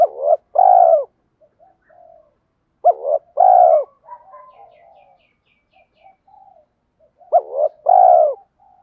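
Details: Lure spotted dove in a blended country-and-field coo style for training wild birds: loud groups of clipped notes ending in a long, falling coo, sounding roughly every three and a half seconds, separated by faint soft cooing.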